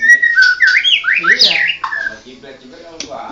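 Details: Varied whistled song from a white-rumped shama of the Murai Medan blorok kind: steady whistle, then fast rising and falling slurred notes climbing higher, fading into softer trailing notes.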